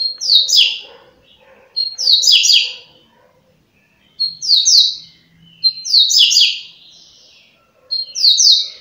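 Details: Double-collared seedeater, known as coleiro, giving its rapid 'flash' song type, claimed at 30 songs per minute: five compact bursts of high, scratchy cascading notes introduced by a clear whistle, spaced one to two seconds apart.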